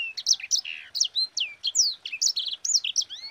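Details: Sanger singing nonstop, a master song meant to stimulate other birds: a dense chain of high, steeply sweeping whistles, short buzzy notes and rising slurs, varied from note to note at a fast pace.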